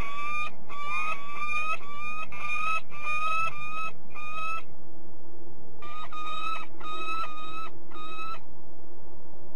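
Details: Peregrine falcon recorded at De Mortel in the Netherlands, giving bursts of harsh, ringing notes repeated quickly, one run of about five notes, a short pause, then another run of four, over quiet low rumble.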